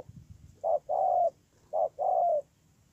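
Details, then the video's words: Spotted dove recorded in Tu Mơ Rông, Kon Tum, Vietnam, 10/1/2018, giving two clean coo phrases, each a brief note then a drawn-out, level, mellow coo, over a quiet background with faint low rumbles. "CU GÁY"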